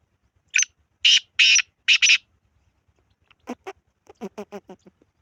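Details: Black francolin calling: four loud, scratchy, buzzy bursts, followed by quieter rapid pulsed notes trailing off.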